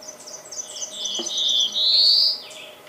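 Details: Black-throated blue warbler (Setophaga caerulescens), song.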